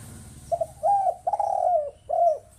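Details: Low coo phrase of a spotted dove, used as a lure for catching birds. A brief opening note leads into two longer coos, the second sliding downward, then a last rounded coo over a faint low hum.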